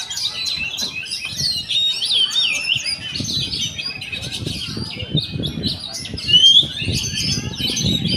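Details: Oriental magpie-robin (kacer), called a champion fighter bird, delivering a rich varied song of quick chirps, buzzy trills and clear rising whistles, one loud upward-sliding whistle near the end, with low rumbling background noise.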